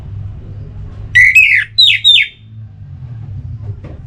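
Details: Orange-headed thrush song, played to stimulate other birds to sing: a short phrase of three loud whistled notes, the first rising and then sliding down, the next two falling sharply, over a low background hum.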